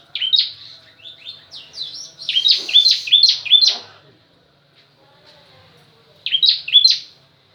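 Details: Bar-winged prinia, a 'ciblek kristal', singing its 'pranjak tamu' variation: quick runs of sharp, high, downward-slurred chirps in rapid series, a pause of about two seconds, then another short burst of the same chirps.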